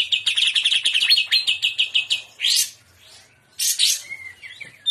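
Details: Greater green leafbird singing trotolan in shrimp style: a long stream of quick evenly spaced chattering notes for over two seconds, a swooping rising squeal, a gap, then loose harsh notes and twitters.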